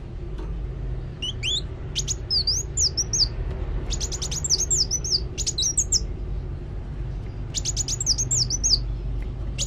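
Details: Sunbird singing actively: bursts of high, sharp ticking notes mixed with twisting, whistled slurs, repeated in several clusters with short pauses, over a faint low hum.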